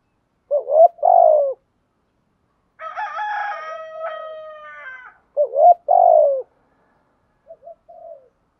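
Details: Spotted dove in the 'thúc gù' coo style meant to stir wild doves to answer: two paired loud husky coos, each pair repeated, with a long harmonic rooster crow between them and faint short coos at the end.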